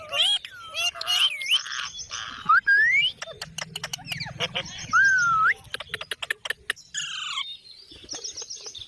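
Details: Parrot giving clear whistled notes, upslurred and looping, mixed with buzzy chattering bursts and sharp clicks, a talking bird's varied vocal play.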